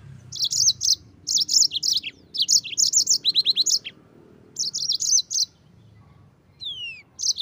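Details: Yellow-fronted canary singing in lively gacor ngerol style, a long rolling song used as tutor material for white-eyes; quick bursts of high chirpy, warbled notes in clusters separated by short pauses, with a rising-falling whistled slur near the end.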